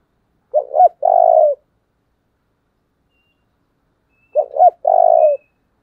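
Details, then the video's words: A decoy spotted dove urges wild doves with two well-spaced phrases about four seconds apart. Each is a sharp double coo leading into a prolonged, throaty, buzzing coo, over otherwise quiet surroundings. "Cu mồi thúc vầy chịu gì nổi"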